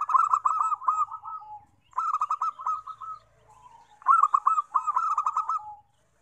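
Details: Zebra dove song played to lure wild doves: three rolling phrases of quick, staccato, purring coos, each phrase about 1.5 seconds long and ending in a lower drawn-out note, with short pauses between phrases.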